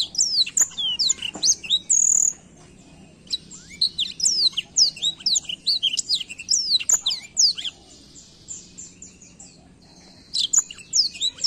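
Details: Black-throated canary in a chatty rolling song, used to stir young birds to sing: rapid high twittering of sharp downslurred notes and trills in bursts, a thin steady whistle near two seconds, then brief pauses before the next run.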